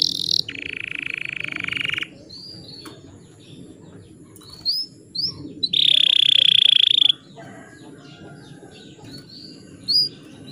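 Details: Canary song for stirring rivals into singing: two loud sustained buzzy rolls, one low and one higher, separated by soft scattered chirps over a noticeable background hiss.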